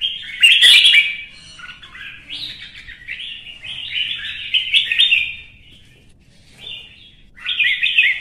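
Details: Red-whiskered bulbul stirred up to sing competitively: loud, rich warbling phrases in several bursts, slurred and whistled, separated by brief pauses.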